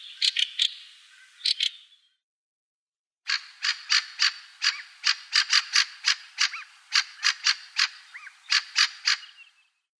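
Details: Harsh, dry 'chack' notes from a Fieldfare, in quick irregular bursts after a short pause, with a few faint thin whistles between, possibly from a Black Redstart; recorded in 2017.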